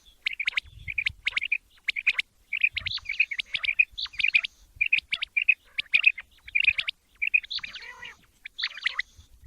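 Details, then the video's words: Male quail (batair) calling for morning hunting: quick clusters of sharp chirped notes, about two per second, broken by short pauses and a harsher raspy note near the end. "latest chukion wali awaz subha k liye | بہت ہی اچھی آواز صبح کے لی"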